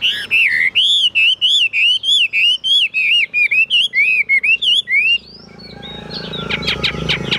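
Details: Caged Chinese hwamei kept as a songbird, singing high: a fast run of loud, clear whistled notes, each slurred up and down, about two per second for five seconds, then the song stops and rustling noise follows.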